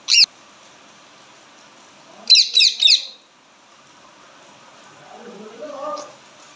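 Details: Loud chirping from an Indian ringneck parakeet: a lone shrill chirp, a pause of about two seconds, then a fast burst of three screechy notes, followed by faint low murmurs.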